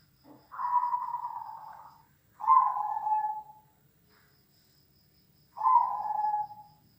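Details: Zebra dove cooing, from a recording of large and small birds meant to toughen a zebra dove's nerve; three long, smooth, gently descending coos, the first sustained over a second, separated by quiet gaps.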